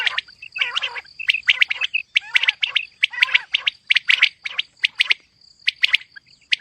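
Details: Female batair, the common quail, giving mixed calls: rapid bursts of bright, clipped chirps roughly once a second, some with lower looping notes, with a constant high electronic-sounding tone behind.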